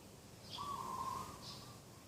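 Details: Dove calling by a garden early in the morning, 2 October 2021: a single sustained, even-pitched trilled coo lasting under a second, with two faint high chirps from another bird.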